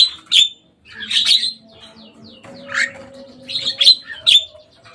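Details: A few loud, harsh squawks from a Javan myna that came onto a cage roof, spaced irregularly, with a faint steady tone in the background.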